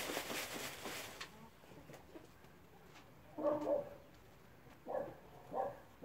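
A satyr tragopan gives short, low, wailing notes, one pair and then two single notes over about three seconds, after a burst of rustling noise.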